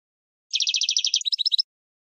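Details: Short burst of European goldfinch training song for captive birds: about one second of dense, fast metallic trilling that ends in a few quick separate twittered notes, with silence around it.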